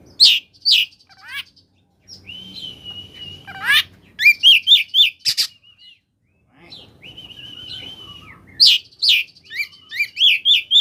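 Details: Koslet oriental magpie-robin singing to prompt other magpie-robins to answer: bursts of rapid slurred chirps broken by long level whistles, with harsh notes mixed in.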